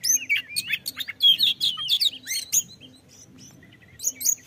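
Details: Kacer, the oriental magpie-robin, singing a rapid varied phrase used to spur other birds to sing: bright slurred whistles and clipped high chirps, a quieter pause with thin notes, then another loud burst of whistles near the end.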